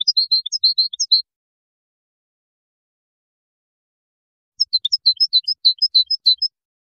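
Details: Moroccan goldfinch singing the widani composition, recorded in 2019: a quick phrase of bright chirps, a long pause, then a second twittering phrase of high repeated notes.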